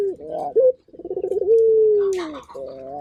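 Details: Actively calling local turtle dove: a hooked rising note, then a stuttering run of pulses that settles into a long, smooth, gradually descending low coo. Another brief higher call overlaps.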